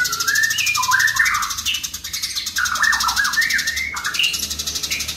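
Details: House sparrows fighting, their fast harsh chirps running about four per second beneath louder whistled phrases that step and slide up and down, over a low background hum.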